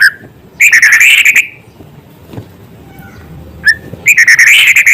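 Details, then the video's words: White-rumped shama in lively song with small-bird material: a fast, rich trill of rapid repeated notes, a long quiet gap with a single faint note, then another rolling, wavering trill. "Murai gacor materi isian suara burung kecil"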